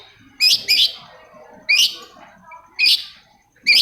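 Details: Long-tailed shrike (cendet) song, played to stir silent shrikes into singing: loud, harsh, rasping notes delivered singly or in pairs, with gaps of about a second between bursts, against a quiet background.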